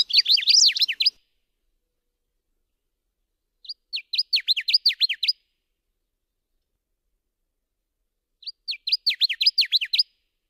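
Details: Subalpine warbler (Sylvia cantillans), song: three short bursts of rapid, scratchy high twittering notes, each about a second long, separated by pauses of several seconds; nothing else heard.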